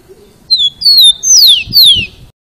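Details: Rufous-collared sparrow singing: two clear, slightly falling whistles followed by two long, loud slurred whistles sweeping steeply downward, in a phrase about 1.8 seconds long. Quiet low rumble underneath.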